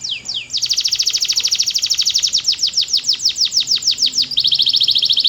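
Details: Powerful canary song: two falling whistles, then a long, intense rolling trill with steady fast pulses, easing into spaced sweeps before resuming a buzzing trill.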